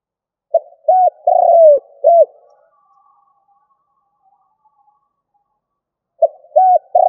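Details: [1, 'yes', 'cooing', 'Decoy spotted dove cooing in the stuttering style: a burst of short, hollow rounded coos with one longer drawn note, then a pause of several seconds before the phrase starts again.']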